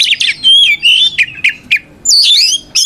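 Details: Caged white-rumped shama, a lively fighting song meant to provoke rival shamas into answering: whistled notes near steady pitch, sharp downward slurs and a final rising, warbling phrase, with short gaps between bursts.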